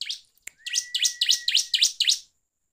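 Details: Bar-winged prinia song used as a lure to provoke other birds: a rapid run of about seven sharp, high chirps, each sweeping down, with a thin steady whistle beneath, then silence.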